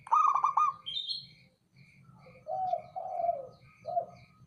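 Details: Local perkutut or zebra dove, a male calling: a loud rolling trill first, then a short higher note, then three soft descending coos. Faint regular high pips and a low hum run underneath.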